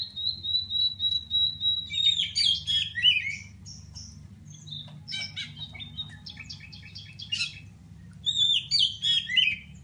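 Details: Singing Oriental magpie-robin of the Pidie, Aceh type, seeking a rival to compete with: a long steady high whistle, then bursts of rich warbling and clipped chattering notes in separate phrases, a pause, and more warbles, with a low background hum.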